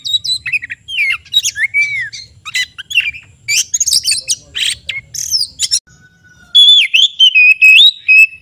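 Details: Oriental magpie-robin in full song, mixing chattering, squeaky and harsh notes with rising and falling whistles, a short pause, then loud sweet whistled phrases repeated several times.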